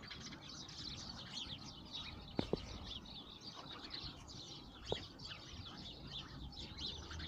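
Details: City sparrows in Moscow, a flock giving dense, overlapping high chirps throughout, with a few sharp knocking clicks and steady urban background noise.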